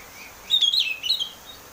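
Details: Oriental magpie-robin in the clear 'ngeplong' song style, used as a lure to get kept birds singing: one short bright whistled phrase, wavering and slightly falling, lasting about half a second over quiet background hiss.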